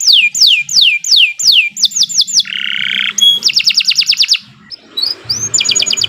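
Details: Canary song as a master recording for teaching birds and encouraging quiet ones to sing. Repeated swooping whistles open, followed by a harsh buzzy stretch, a dense fast trill, a short pause and another clipped high trill.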